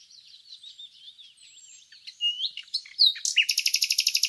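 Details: Nightingale in song: quiet, warbling, wavering notes build into louder sweeping whistles and chirps, then a fast, even, rattling trill of about a dozen buzzy repeated notes closing the phrase.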